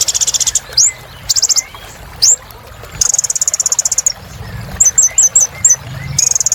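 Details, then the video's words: Energetic kolibri ninja sunbird song for coaxing silent birds back into song: repeated high, rattling trills broken by upswept whistles and a cluster of five quick descending chips, with soft background hum. "Kolibri Ninja Gacor"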